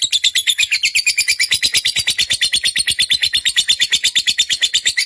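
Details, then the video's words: Captive fighter lovebird used as a training call to draw song from pet birds, giving an unbroken rapid rasping trill of regular pulses, roughly seven each second, high and buzzy, with no other sounds. "pancingan lovebird figter"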